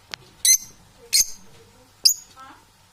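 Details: Indoor domestic parrots, called unbalanced, let out three grating high squawks about 0.7 seconds apart, followed by a softer chattering note and a click.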